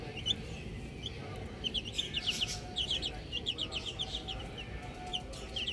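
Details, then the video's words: Outdoor baby chickens chirp busily: rapid, overlapping high peeps, each a quick falling note, coming in dense runs over a low, constant outdoor hum. "Cute Baby Chicks Chirping Sounds"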